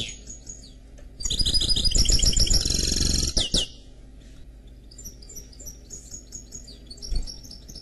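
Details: Canary and goldfinch cross singing a loud two-second burst of rapid chattering notes and trills, followed by quieter scattered high chirps and twitters.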